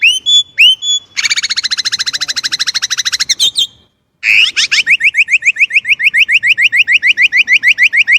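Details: Chinese blackbird singing: a few clipped whistles, then a long, fast series of evenly repeated buzzy notes, a brief silent break, and another rapid run of sharp repeated notes.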